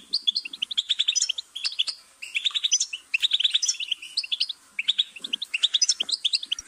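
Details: Goldfinch twittering song of fast, bright notes delivered in clustered phrases with small breaks.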